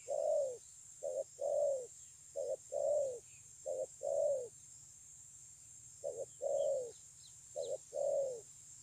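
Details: Spotted dove called a 'bổi', praised for a very fine voice, recorded 9 June 2020 at Kon Long: deep, mellow coos in short-then-long pairs, about nine phrases in nine seconds with a pause midway, faint steady hiss above.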